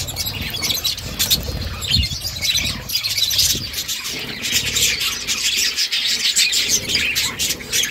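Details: A budgie mother feeding chicks, with steady busy twittering: many high, scratchy chirps overlap without a break over a soft low background rumble.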